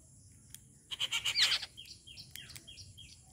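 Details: Rufous treepie calling during morning feeding time at home: a loud burst of rapid high chirping notes, then a run of short, evenly spaced downslurred calls, over a low steady background hum.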